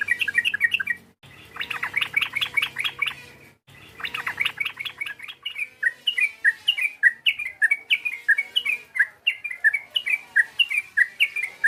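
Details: Sooty-headed bulbul calling to stir a rival: dense runs of rapid bubbling notes give way to a long series of separate, clear, downslurred chirps repeated about twice a second.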